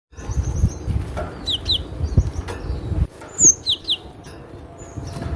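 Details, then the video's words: Cinereous tit singing: a few sharp, high downslurred whistles in short bursts near the middle, over a heavy low rumble and handling-like thumps. "SUARA BURUNG GLATIK BATU PALING RENYAH"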